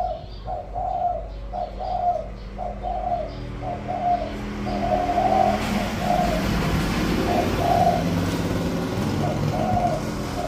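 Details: Spotted dove used as a decoy, 'giọng thổ' voice style, cooing in short mellow bursts at first; halfway through a passing vehicle's rising rumble partly masks the later coos.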